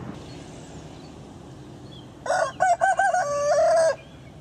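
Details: On a farm at dawn, a rooster gives one crow after a quiet stretch: a few choppy opening notes, then a held, even tone, over a steady low background hum.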